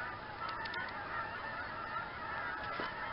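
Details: A large flock of migrating Canada geese at Campbell's Bay honking together in a dense, constant chorus.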